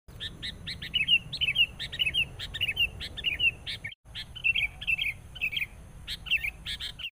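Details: Sooty-headed bulbul used as a decoy in bird trapping, agitated and aggressive on meeting a rival; rapid bursts of bright chirps and short warbled phrases repeated densely, a brief pause near four seconds, low background hum throughout.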